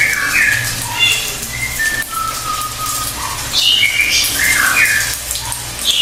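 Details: Pied fantail singing sweet whistled notes that rise and fall, including a long level whistle and a later burst of slurred, squeaky notes, against a faint low hum and hiss.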